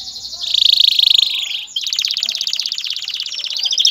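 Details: A male canary sings to prepare a female for mating and nest building, delivering a loud continuous rolling trill that shifts into a rapid pulsed buzzing trill.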